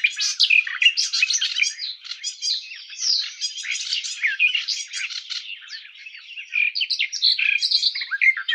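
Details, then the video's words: Sustained Garden warbler song: a long, rich, babbling warble of quick mixed notes and slurs that flows on steadily, rising and falling in loudness, with a clean, quiet background. "Как поёт Славка садовая Sylvia borin"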